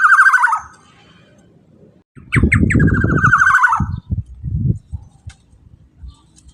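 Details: Black-naped oriole song used to provoke other orioles to sing. A falling buzzy trill ends, then returns after short rising notes, over loud low rumbling and thumping noise.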